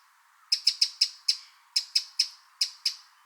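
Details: A Eurasian wren recorded in the wild gives a series of hard, dry, high ticking notes, about ten in three seconds, unevenly spaced, with no other sounds.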